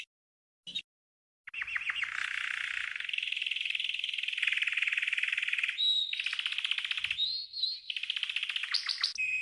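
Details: Green canary training song: long rapid trills of buzzy repeated notes around the upper-middle register, broken by a pure whistled note and a brief rising whistle, after a short silent gap at the start.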